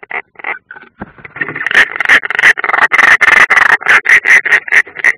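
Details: European roller at its nest in the Ādaži training area, Latvia, 30 June 2016, on a nest camera: rasping, crackling calls that quicken into a dense, rapid run of harsh notes near three per second, growing louder, with scraping noises.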